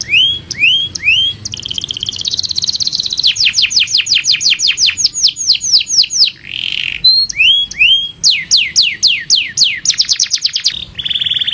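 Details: Master canary in full song: rising whistled notes, a buzzy trill, then rapid runs of steep downward-swept chirps repeated several times a second, with looping slurred notes between bursts.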